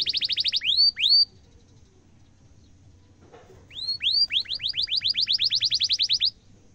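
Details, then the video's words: Canary song for tutoring young canaries: a rapid burst of high notes and two upward swoops, a long silent gap, then looping whistles leading into an even, fast rolling trill. "kenari gacor cuit cuit ngerol tajam suara kesukaan semua kenari efektif buat masteran kenari muda"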